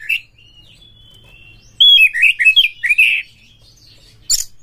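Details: Oriental magpie-robin, a caged kacer bird whose song is played as a lure to make other kacer sing in breeding mood: a thin level whistle, then a burst of rich, swooping warbled notes, and one sharp high note near the end.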